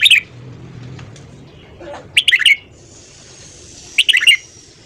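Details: Morning song of a red-whiskered bulbul for voice training, three quick chattering phrases of bright up-and-down notes roughly every two seconds, with a thin high hiss running through the quieter gaps.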